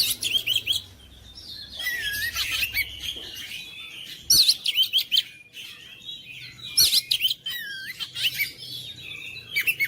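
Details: A magpie-robin song meant to provoke silent, lazy birds into persistent singing. Dense, high-pitched chirps, trills and looping whistled phrases arrive in energetic bursts every few seconds, with a faint low hum in the background.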